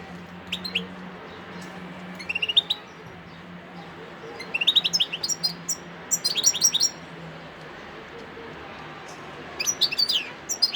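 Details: Song of a wild European goldfinch at Sidi Bel Abbes, 17 December 2021: repeated clusters of rapid, tinkling high twitters, several phrases in quick succession with short gaps, over a low steady hum.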